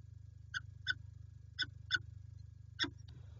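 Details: Quieter peregrine falcon calls from PGE Lublin, Poland, 5 April 2020: five short, slightly more tonal nasal notes, two pairs and a single, set against a noticeable low humming background.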